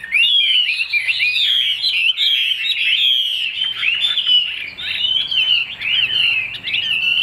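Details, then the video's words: Chinese hwamei in a cage, a large-tailed bird, singing strongly and without break: rich warbled whistles, sweeping slurs and bright chirps packed together for seven seconds. "Họa mi đuôi lá vả bóng bộ đẹp hót hay"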